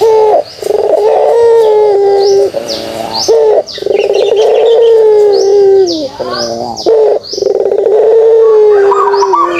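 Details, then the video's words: Repeated kugeruk phrases from a pelung dove: each opens with a rapid rolling trill and runs into a prolonged, slightly falling low coo. Constant sharp high chirps of other birds sound throughout. "suara kugeruk burung puter pelung"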